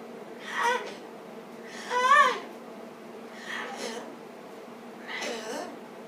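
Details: Pet cockatoo left alone indoors with the door open, making cute noises: four soft, babbling, wavering bursts spaced over about six seconds in a small room.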